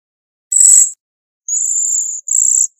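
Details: Bohemian waxwing: a short, rough buzzy burst, then two sustained, high, ringing trills close together, with a brief note beginning at the end.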